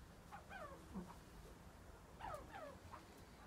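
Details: A captive Himalayan monal at a pheasant nursery gives faint, plaintive whistled notes that slur downward, in two short bursts about two seconds apart, over a low rumbling background.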